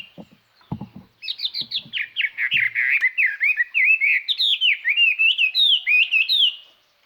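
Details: Decoy Chinese hwamei singing a clear, far-carrying song meant to provoke wild birds: after a few low knocks, a continuous five-second run of loud, varied, rapidly repeated whistled notes sliding up and down.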